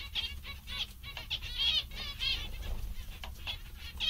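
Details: Happy, content zebra finches making repeated short nasal, trumpet-like calls and buzzy chatter, several birds calling over one another above a low steady hum.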